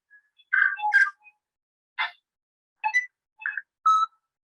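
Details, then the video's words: The standard song of a tui, a New Zealand bird with two voice boxes: a short, varied phrase of clicks, gurgles and pure ringing bell-like notes, somewhat like a bellbird, in six or so bursts over four seconds. "so that is actually the standard tui sound and it has a little bit of an element of the bell bird call in there"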